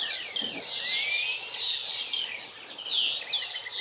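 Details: European bee-eaters in Extremadura, Spain, spring arrivals from African wintering grounds: a busy chorus of rolling, liquid high trills and chirps overlapping continuously, several birds calling at once with rising and falling notes.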